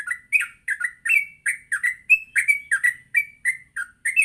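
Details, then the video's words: Yellow-vented bulbul giving its busy morning song, used for training trucuk. Quick, chattering series of fluty slurred notes, nearly continuous, with short whistled upward inflections between them. "Pancingan Pagi burung trucuk Gacor sangat cocok untuk melatih trucuk belajar bunyi dan ngropel"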